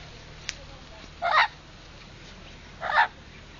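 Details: Blue-fronted amazon parrot, seemingly telling its owner to go away: two harsh, raspy squawks about a second and a half apart, each lasting a fraction of a second, over steady background hiss.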